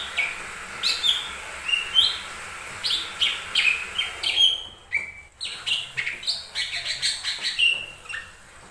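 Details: Song of a lesser green leafbird used as a lure to start other birds singing: a rapid series of sliding whistles and sharp chips, a short break mid-way, then a denser rush of notes.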